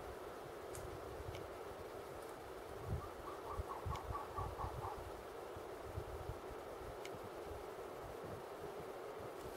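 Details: Male elegant trogon in South Fork of Cave Creek Canyon, Chiricahua Mountains, Arizona, on 23 April 2015, giving a quick run of about seven low, hoarse, evenly spaced notes, faint over a steady low rumble and a few soft clicks.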